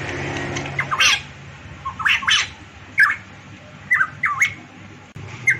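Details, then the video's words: Variable pitohui from Papua, locally called cucak rowo Papua or cucak emas, singing: short, hoarse whistled phrases with harsh scratchy edges, given in bursts about a second apart, over a low steady background hum. "burung pitohui variabel gacor cucak Rowo Papua cucak emas"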